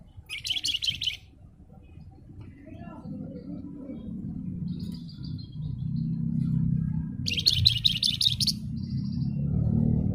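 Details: Spotted crocias, called flamboyan or wergan jawa, in lively song: two bursts of rapid, dense, high-pitched chattering notes, one at the start and one near the end, over a steady low rumble of background noise.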